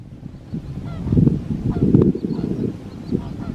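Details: Dense flock of Lesser flamingos at Chilika, keeping up a low, goose-like honking and murmuring chorus that swells in bursts over about three seconds.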